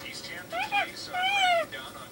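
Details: Pet parrot that has never lived with a cat, seeking attention while its owner cooks, mimicking a cat's meow: two drawn-out, harmonic wails that rise and then fall, with soft babbling sounds between them.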